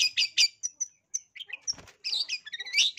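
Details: Long-tailed shrike, lure song to provoke fighting: harsh squawky notes and thin whistles, a brief pause, then a burst of fast scratchy warbling chatter.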